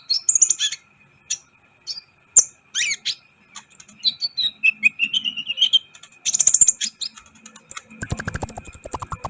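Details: Sunbird (kolibri ninja) singing hard, a recording for exciting other birds; scattered high chirps, down-swept whistles and twitters, then a long, rapid, very high trill closing the passage.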